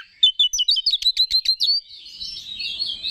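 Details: Oriental magpie-robin song to excite other males: a quick series of repeated sharp chipping notes, several per second, flowing into a softer warbled twitter.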